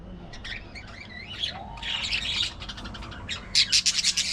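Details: Budgerigar chatter: soft scattered warbles and a thin whistled slur at first, then a burst of scratchy chatter, ending in quick sharp repeated chirps.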